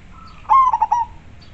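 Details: Clear-voiced local zebra dove in full song: a single phrase with a drawn-out coo that slides into three fast throbbing pulses, the last one tailing off softly, with faint hum beneath.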